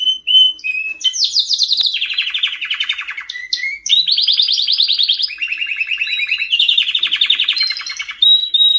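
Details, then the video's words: Singing white canary delivering fast rolling trills at varied pitches, each held tour lasting about a second, shifting up and down between high buzzy rattles and lower chattering runs, with brief whistles between; no other sounds. "White Canary Singing"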